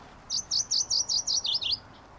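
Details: MacGillivray's Warbler singing in Yosemite: a quick run of about eight high, buzzy chips, the last few dropping slightly lower, over in under two seconds.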